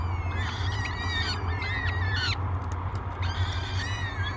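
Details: At Great Spirit Bluff on 24 May 2022, three hungry peregrine falcon chicks beg during breakfast: repeated harmonic, downward-bending wails in clusters, a brief gap near the middle, continuous low mechanical hum behind.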